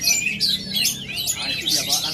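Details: Aceh-origin oriental magpie-robin singing a dense, lively medley of piercing whistles, chattering phrases and rapid trills that rise and fall, with faint low murmuring beneath.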